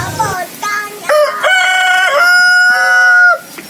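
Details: One rooster gives a long, clear crow that builds through stuttered opening notes into a smooth, evenly held, richly harmonic tone lasting over two seconds before stopping abruptly.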